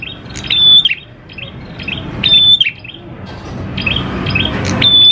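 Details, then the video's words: Lure song of a prinia: sharp twittering notes lead into a steady high whistle, the phrase repeating every couple of seconds against a background of low murmuring noise. "PANCINGAN PRENJAK KLAWU GACOR, NGALUN BIKIN PRENJAK CEPAT BUNYI"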